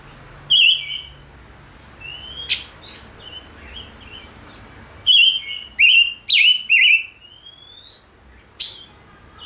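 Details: Caged Gouldian finch singing a mix of buzzy wavering notes and thin rising whistles, with a tight cluster of three or four loud buzzy notes in the second half.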